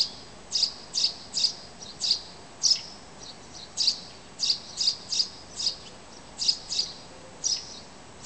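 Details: Birds chirping outside a window at five in the morning in Zarinsk on an early summer morning: short, bright, high chirps repeated in a steady run, roughly two per second, over a quiet background.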